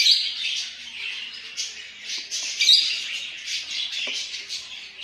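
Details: Baby Cockatiel (Nymphicus hollandicus) chick call: harsh, raspy squawks in a steady, pulsing run.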